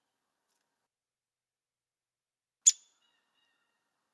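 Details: Downy Woodpecker, one of seven woodpeckers found in DuPage County, giving a single sharp, short note with a soft tone, a one-note call often repeated; here one crisp high click sounds once amid otherwise silent background.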